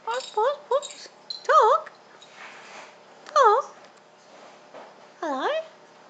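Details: Pet Pink and Grey Galah, a male about one and a half years old, kept indoors: a few quick nasal notes, then drawn-out harmonic calls that dip and rise again, repeated every couple of seconds, with a person talking softly nearby.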